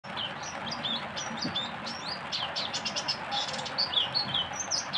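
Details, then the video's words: Oriental white-eye, called pleci, sings a fast, varied stream of thin, high whistled notes and chirps over a steady loud background hiss. "tembakan pleci nya pedes"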